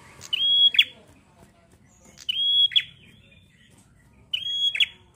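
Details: Spaced phrases from a bar-winged prinia singing in the 'gacor ngalun' style: three sustained high whistles, about two seconds apart, each ending in a quick snapping flick against a quiet backdrop.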